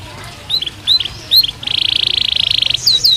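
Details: Canary in a cage during breeding season: a few soft upslurred chirps followed by a steady buzzy rolling trill of about a second, then brief high swoops.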